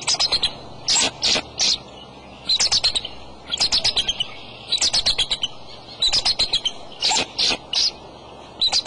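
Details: Adult male bald eagle at its nest with eggs on a March afternoon gives about five bouts of rapid, high piping chatter, each bout a quick string of sharp squealing notes.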